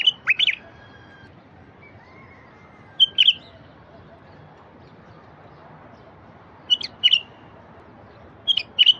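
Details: Song of a wild bulbul, played to get silent wild bulbuls singing: four brief, bright, chirpy phrases spaced a few seconds apart, each a quick cluster of sharp notes, with quiet between.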